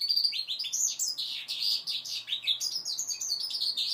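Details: Five-month-old goldfinch mule in song practice, delivering a dense, lively stream of chirps, rapid twitters and short rising and falling phrases without pause.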